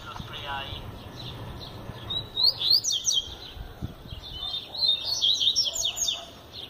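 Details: Double-collared seedeater, a bird that sings all year, in lively song: brisk high twitters and rapid sweeping trills in two loud bursts, with a faint low hum beneath.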